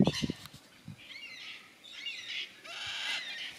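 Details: Yellow-tailed black cockatoos in Tasmania, Australia, give three drawn-out, wailing calls in quick succession, each about half a second long, after a few low thumps at the start.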